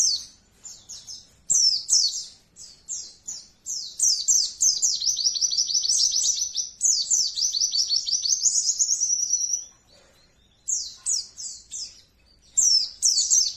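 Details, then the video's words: Oriental white-eyes calling as a colony, a recording used to train caged birds: dense, very high, rapid twittering trills in long runs, one stretch of quick repeated notes lasting several seconds, then short bursts after a brief pause. "koloni burung pleci nembak ampuh bikin ngotot"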